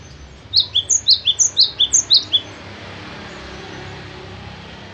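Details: Cinereous tit kept at home delivers a brief burst of loud, high, falling double whistles at a brisk, regular pace, followed by quiet background hiss.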